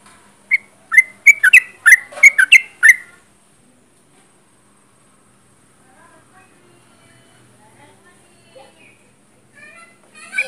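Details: Sooty-headed bulbul singing actively at close range: a quick burst of about eight bright, liquid chirping notes over two seconds, followed by long quiet with faint scattered ticks.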